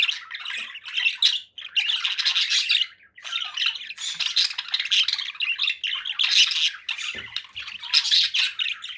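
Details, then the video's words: Conure parakeet squawking in long harsh bursts separated by two short pauses, with faint low knocks late on. "7 hours of relaxing conure parakeet sounds"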